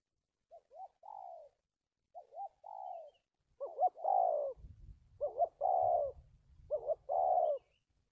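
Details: Decoy spotted dove for trapping, giving a stuttering coo, recorded 1 March 2019: repeated phrases of two or three short hiccup notes leading into a longer soft hooting coo, about every one and a half seconds, over a low rumble.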